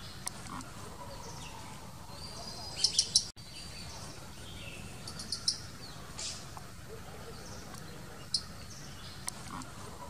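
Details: Blue-capped rock thrush, a Himalayan bird: a rapid burst of three thin, high chirps, then scattered single high notes spaced a few seconds apart, over constant low rumbling background noise.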